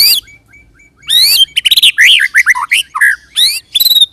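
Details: White-rumped shama song for luring other shamas into song: faint thin notes, then loud upswept buzzy phrases and a rapid sequence of varied curling whistles, finishing with a sharp upsweep.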